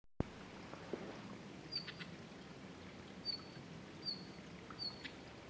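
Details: Red-flanked bluetail heard unseen on 20 March 2012, giving four brief, thin high whistled notes spaced about a second apart over a steady low background hiss.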